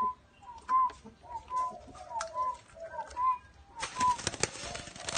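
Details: Spotted dove heard in a little garden: regular short clear notes alternating with lower, wavering coos, then a loud rustling, scraping burst covers the last second and a half.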